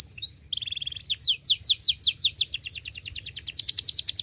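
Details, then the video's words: Canary song used for training young canaries: a few short whistles and a brief trill, then a long accelerating series of repeated downward-sweeping chirps, clean and loud. "KENARI GACOR PANJANG cuit cuit Ngerol Rapat Paling Dicari Untuk Pancingan Kenari Paud Belajar Bunyi"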